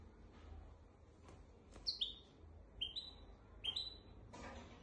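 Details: Hybrid of goldfinch and canary singing to tutor goldfinches and canaries: short bright rising whistles, some in quick pairs, with soft clicks and a brief noisy burst near the end amid low hum.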